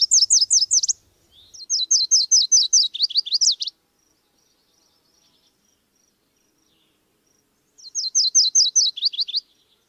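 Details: Three high, dry phrases from a Subalpine warbler (Sylvia cantillans). Each is a quick chain of repeated chattering notes about one to two seconds long, separated by pauses, with the last phrase starting after a four-second silence.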